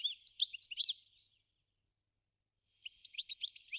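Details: Goldfinch, Carduelis carduelis: two bursts of rapid, bright twittering chirps separated by nearly two seconds of silence, the notes high, tinkling and tightly packed.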